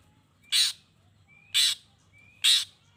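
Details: Long-tailed shrike voice meant to stir other shrikes to reply: three grating, scratchy squawks spaced about a second apart, each preceded by a short rising whistle, against steady low background hum.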